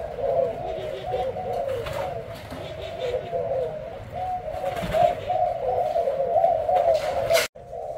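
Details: Booming coo of a Thai-type spotted dove in a cage, white-hearted with a black necklace. Low, slightly wavering cooing phrases follow one another closely, with a few faint clicks and a sharp knock near the end.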